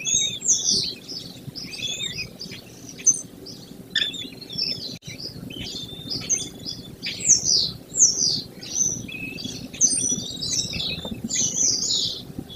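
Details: American kestrel pair at a nest box on the side of a barn overlooking rolling grassland near Prairie du Chien, Wisconsin, early morning of 28 May. Rapid run of sharp, high, down-slurred notes, nearly continuous for twelve seconds, over faint rural background hum.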